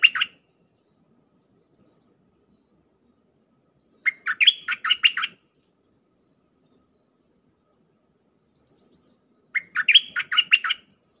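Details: Red-whiskered bulbul song, dense 'dok' phrases played for hand-reared young to learn: three bursts of quick chirpy, warbling notes about five seconds apart, each burst around a second long, separated by silence.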